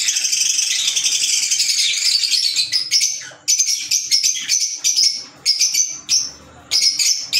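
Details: Fischer's lovebird (green) chatters in a long, dense, high-pitched stream that breaks after three seconds into clipped, squeaky bursts repeated roughly every half second.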